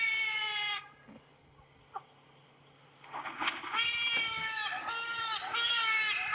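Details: Trumpeter Hornbill, unusual for the area, gives loud, nasal, wailing calls likened to a crying baby: one drawn-out wail, then a run of quavering cries after a short pause.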